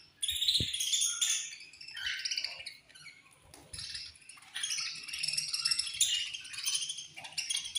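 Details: Budgerigars in a colony chirping at feeding time: a dense, overlapping chatter of high warbling and twittering notes from many birds, with brief pauses and a few soft knocks.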